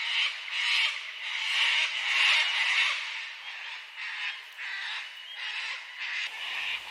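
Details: Sulphur-crested Cockatoos in Australian eucalyptus bush at sunset, several birds calling back and forth with harsh, grating screeches in overlapping bursts about every half second to second as they gather to fly to their night roost.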